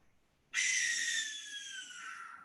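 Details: Barn owl heard at night at Berry Springs Park, north of Georgetown, giving a single harsh, hissing scream lasting about two seconds, broad and rasping, slowly fading and dropping slightly in pitch, like a human screaming in terror.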